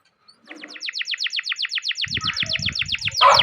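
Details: Canary song used to stimulate other canaries: a fast series of repeated descending chirps, about five per second, ending in a louder burst, with faint low thumps in the background.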